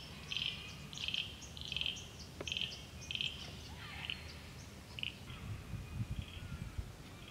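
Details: Fidgety grey fantail on a rainy mountain walk, Illawarra Escarpment, dipping and darting after insects: quick, sharp, high chips in a run, then softer scattered notes, with low background rumble.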